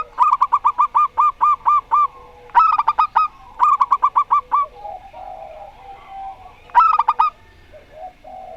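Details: Zebra doves, a local Rondo Semoyo type and a strange-voiced bird: repeated bursts of fast clipped cooing, first a long run of about ten notes, then shorter bouts, with soft murmurs in the gaps.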